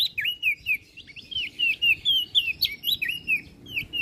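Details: Olive-backed tailorbird in full song, used as master song for training songbirds: rapid, loud, whistled notes, each sliding down then up, repeated about four times per second with some higher sharp chirps.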